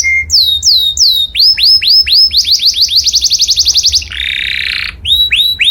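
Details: Canary singing loudly as a tutor for imitation. A short tone opens into descending whistled slurs, which speed up into a rapid roll. A harsh buzzy burst follows, and the song returns to slurred whistles.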